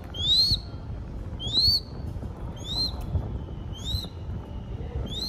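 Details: Young crested goshawk raised by falconers in Cambodia, calling while fed. A series of five clear, high upslurred whistles, each lasting about half a second, spaced roughly one per second, over faint low noise.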